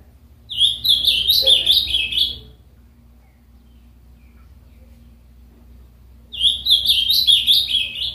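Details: A pet Ultramarine Grosbeak (azulão) from Capão Bonito in inland São Paulo state gives two rich, warbled phrases, each about two seconds of quick, slurred high notes, separated by a pause over a low indoor hum.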